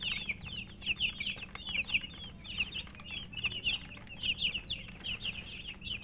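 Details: A flock of coloured baby chicks calls nonstop: shrill, brief chirps stacked on one another, rising in loud bursts about every second over a soft background hum.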